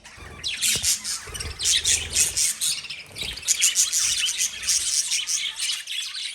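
Lovebirds chatter in a dense flock, with high, shrill chirps and squeaky notes overlapping in quick bursts, almost without pause.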